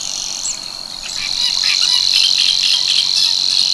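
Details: Savi's warbler singing at Tancat de l'Illa, l'Albufera, where it breeds from March: a steady, high, strident reeling buzz held without a break, growing slightly louder after the first second, with a few short notes from other birds above and below.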